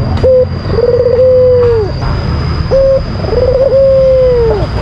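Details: White albino Barbary dove calling to provoke an opponent: two clear cycles, each a short flat note, then a long sustained coo that falls away at the end, over low rumble and a faint constant whine.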